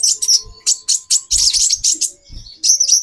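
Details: A female konin (kolibri ninja) gives call bursts meant to excite a male: short, high, scratchy chirps repeated roughly every quarter second, ending in a thin wavering whistle, with a faint low hum behind.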